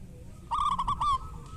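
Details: Local zebra dove in kerot and bekur song style, kept to provoke reluctant doves into singing; a single short rolling phrase of quick, throbbing coo notes followed by one clearer drawn note, low steady hum behind.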